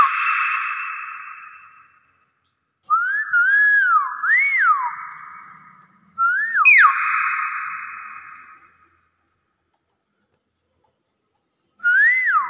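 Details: Hill myna of subspecies intermedia, Thailand: wavering whistled phrases with rises and dips, separated by silences of several seconds, each ringing on in a reverberant space.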